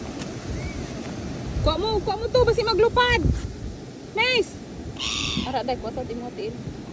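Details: Gulls fighting for food on a beach give loud harsh yelping calls in quick bursts, then a single call and a few later cries, over people's voices and steady background noise.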